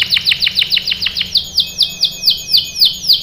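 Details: Canary song used as a lure so other canaries answer: crisp downswept notes about five per second, slowing after a second and a half into wider arched whistles, with a faint steady tone beneath the later notes.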